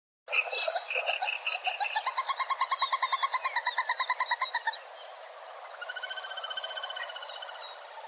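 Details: Little grebe (Tachybaptus ruficollis), trill.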